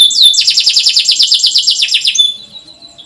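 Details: Caged canary in full chirping song, used to coax young canaries into singing: a fast, even, high trill of repeated notes lasting about two seconds, then fading to quiet.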